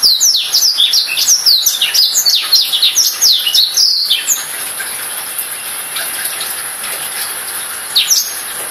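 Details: A black-throated canary (Crithagra atrogularis) sings a fast, high, twittering run of varied chirps and trills for about four seconds, then a brief final phrase, over a steady background hiss.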